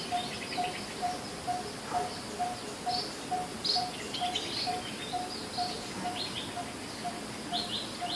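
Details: Coppersmith barbet giving a low, hollow, evenly spaced tonk repeated about twice a second. Scattered higher chirps and calls from other birds, with steady background noise.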